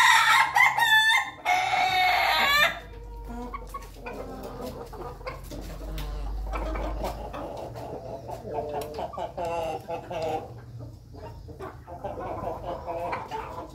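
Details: Ayam Ketawa chickens, a flock eating together in their coop: one loud harsh rippling call lasts about two seconds, then a busy mix of soft clucks and pecking noises from the group.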